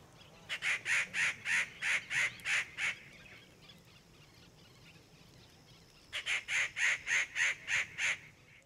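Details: Rufous treepie (Dendrocitta vagabunda behni) in Ranthambore National Park, India, November 2023, gives two bursts of harsh, evenly spaced notes, about eight each at three to four per second, separated by a short quiet gap.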